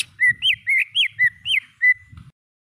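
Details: Greater green leafbird song from a training recording for cage birds, with pauses between phrases: clear whistled notes, some rising then falling, repeated about every quarter second, then a short final whistle and a faint low rumble.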